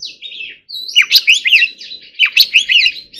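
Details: Oriental magpie-robin singing in the forest-voice style during song training: a brief high note, then a burst of rapid, sweet, slurred whistles and sharp chirps repeated in quick clusters. A small pause comes near the start.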